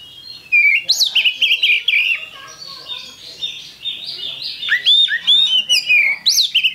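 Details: Oriental magpie-robin lure song, meant to get other birds singing: a rich, almost continuous outpouring of loud whistles, trills and sharp upward and downward slurs, in varied phrases with only brief pauses.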